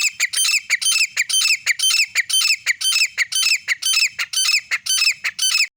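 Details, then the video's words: Female grey francolin, recorded on an iPhone, calling loudly with rapid, harsh, squawking notes repeated about twice a second in a steady chattering series, with little background sound. "teeter ki awaaz grey francoline female sound"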